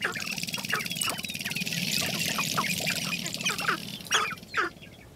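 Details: Several Sharp-tailed Grouse displaying at a spring display ground give harsh, irregular clucks and whining yelps at about two per second, overlapping, with a hissy background.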